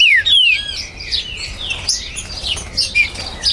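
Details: Green-winged saltator recorded at a breeder's premises in Brazil on 19 September 2020, a territorial bird: a loud, clear whistle slurring downward opens, then softer overlapping chirps and whistles from other birds fill the rest.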